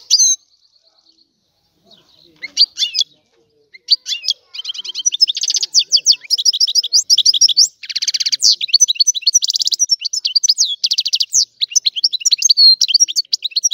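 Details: European goldfinch starts with a few scattered chirps and a soft thin whistle, then breaks into sustained rapid twittering with buzzy rattles and liquid trilled phrases running to the end.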